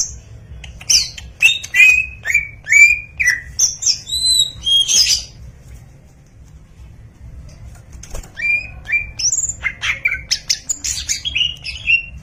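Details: Greater green leafbird, kept bird, giving varied chirped and whistled notes in quick bursts with harsh squawky sounds and clicks, a pause midway, then resuming with rising whistles; low background hum.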